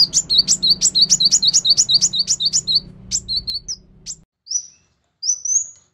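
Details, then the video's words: Van Hasselt's sunbird song played to prompt a quiet bird to sing: a rapid run of high, sharp chirps repeated about three times a second, then a few thin, high whistled sweeps with short silences; low hum underneath early on. "PANCINGAN ampuh Kolibri Wulung MALAS Bunyi agar GACOR"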